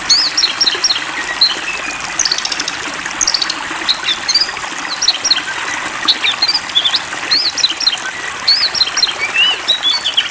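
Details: Oriental magpie-robin (Copsychus saularis), a long-singing kacer given water therapy, pours out a fast, varied string of sweet whistles and sharp chirps over a steady wash of splashing water.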